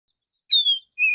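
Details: Male Oriental magpie-robin calling other magpie-robins in a calm morning song, used as a lure: a bright, falling whistle, then the start of a lower, level whistled note.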